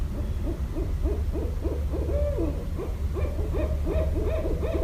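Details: In Westchester, New York, on 5.1.17, a Barred owl pours out fast, excited hoots with a long descending wail in the middle, then resumes rapid cackling hoots, low rumble underneath.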